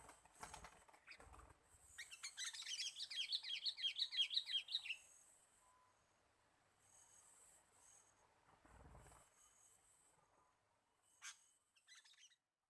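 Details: Sooty-headed bulbul call played to lure birds: a quick series of bright, bubbling chirps for about three seconds, followed by softer scattered notes and a faint hiss in the background.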